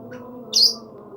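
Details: Single brief, shrill chirp from a lovebird, high and slightly rasping, rising out of near silence over a low steady hum.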